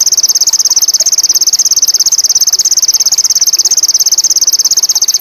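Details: Sogon indigo, a bird in high mating condition, giving a steady, very high, buzzy pulsed trill of about ten even notes per second that runs unbroken through the whole stretch.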